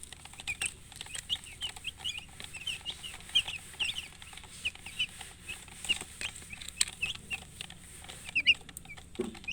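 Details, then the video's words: Chicks kept with a murgi hen give sparse, high-pitched peeps, short sharp chirps spaced irregularly, now and then a quick cluster, amid soft rustling and one low cluck near the end. "silly chicken chirping sounds with murgi hen color chicken"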